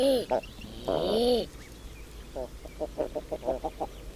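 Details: Common eider: two arched moaning coos open the recording, followed by a quick run of short, evenly repeated guttural notes.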